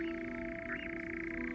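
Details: European nightjar churr on the Kalmthoutse heath at dusk, played back as a lure to attract territorial males and curious females for tagging: a steady, fast mechanical trill running on without a break, over a low steady hum.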